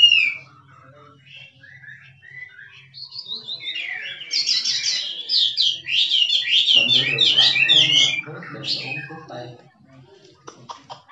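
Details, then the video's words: Wild Chinese hwamei in 'drumming' song: a few soft whistled notes, then a loud run of rapid zigzag whistles and trills for about five seconds, with a low rumbling noise joining midway, then quieter clicks. "Chim họa mi rừng kích trống hót cực đỉnh nghe đã tai"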